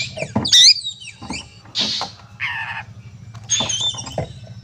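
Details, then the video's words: Provocative fighting song from an oriental magpie-robin: a loud high whistled slur, scattered clicks, a rough buzzy note and brief chatter, fairly sparse, with a steady low hum throughout. "suara burung kacer gacor narung"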